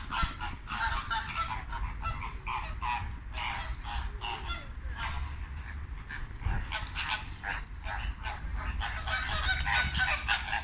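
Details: Flamingos in late afternoon, a flock giving a dense, continuous chorus of nasal, goose-like honks, many overlapping calls repeated several times a second throughout, with a low rumble of wind or background noise underneath.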